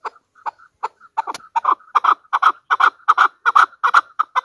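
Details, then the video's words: A hunter chukar partridge builds from scattered short notes into a steady, loud chuck-chuck series, roughly three harsh clucks per second, with brief tonal notes between them. "Pakistan National bird chakor ki awaz | Hunter chukar voices | Hunter Chukar sound"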